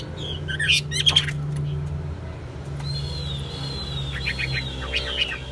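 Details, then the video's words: A caged Chinese hwamei, a steady singer tested as a fighting bird, sings loud, clear whistles: sharp notes early, then long sliding phrases and quick rising flourishes, over a steady low hum. "Hót tốt, Đấu tốt. Siêng mỏ, giọng hay"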